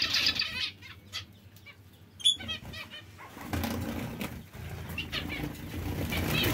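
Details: Bright nasal zebra finch calls open the recording, several quick stacked notes, before louder broadband rustling and noise take over in the second half.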